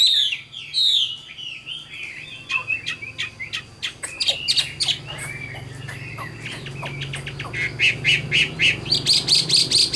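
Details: Wild-caught adult Chinese hwamei of the 'tam hoàng' type, praised for a fine voice, kept for sale in Vietnam. It sings loud, varied phrases of slurred whistles and rapid repeated sharp notes, ending in a quick ringing trill-like series.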